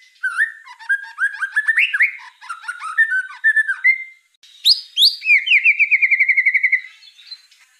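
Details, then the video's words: White-rumped shama song for training a murai trotol: mixed whistles and scratchy chips, a brief pause, then high rising whistles leading into a rapid even trill of about a dozen notes. "MASTERAN MURAI BATU TROTOL 100% DIJAMIN AMPUH BIKIN MURAI TROTOL CEPAT GACOR"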